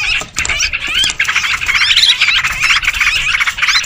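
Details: Sooty-headed bulbuls in a noisy lure recording used to attract birds: dense overlapping chatter of many birds, with bubbly, squawky notes packed together and scarcely a pause.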